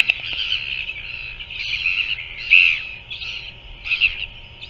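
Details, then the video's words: Feeding time for a royal albatross chick at a New Zealand nest, 7 February 2024 at 5:41 pm: a chain of separate nasal squawks rising and falling, one louder note midway, over faint hiss. "Royal Albatross~BOK's chick is fed by parent"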